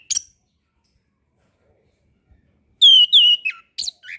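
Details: Orange-headed thrush song for training young birds and birds slow to sing: a short sharp note, a long silence, then a quick series of clear slurred whistles dropping in pitch, ending in brief chips.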